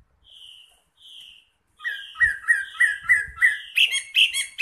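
Wambi song: two soft, level whistles, then a quick run of bright chirps that ends in harsher, buzzy notes.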